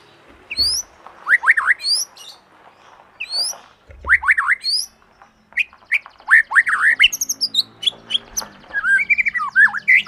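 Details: Young white-rumped shama song used to stir other birds into singing: clear swooping whistled notes and high thin accents, becoming a dense, varied run of rapid whistles and chatters, with low faint thumps.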